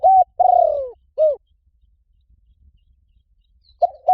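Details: Spotted dove call used to lure wild doves: a short mellow coo, a long throaty falling coo, then a brief upslurred note, with another phrase starting at the end after a pause of nearly three seconds.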